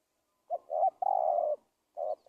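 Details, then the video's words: A spotted dove coos as trapping lure bait for wild doves: a clipped hoot, a doubled note, then a long sustained mellow coo, followed by the start of another phrase. "SUARA TEKUKUR PIKAT"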